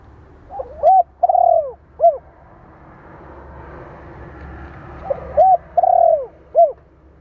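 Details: Spotted dove cooing to train decoy birds, two matching phrases about four seconds apart. Each has a stuttering start, a clear short note, a long trembling coo and a short final note, over faint background hiss.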